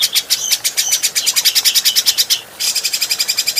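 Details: Adult grey-cheeked bulbul, a training recording for other cagebirds: rapid, buzzy chattering notes at about four per second with whistled strands above them. The bird breaks off briefly, then resumes a slightly softer rattling series.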